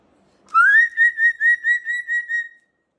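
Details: Pet sulphur-crested cockatoo being blow-dried by its owner, dust puffing from its feathers; one steady whistled note broken into about seven quick even pulses, with no other sound.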